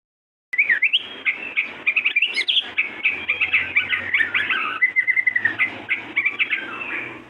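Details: A pair of white-rumped shamas singing actively: a long, rich run of varied whistled phrases, slurred notes and quick chattering trills, loud and near-continuous after a brief silent start, with a faint low hum underneath.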